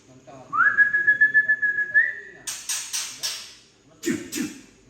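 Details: Tangse-origin white-rumped shama rough 'trek' call, used to excite young birds: a rising note into a sustained level buzzy trill, then a run of loud harsh chacking notes.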